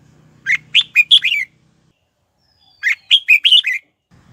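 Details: Caged red-whiskered bulbul used as a lure to call wild birds in to fight, singing two short bursts of four or five rich, bubbly warbled notes, each phrase under a second, separated by a pause; faint low hum early on.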